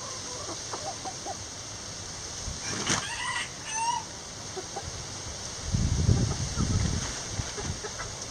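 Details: Backyard chickens in the coop give a short series of squawky calls midway, followed by low scratching and thumping sounds.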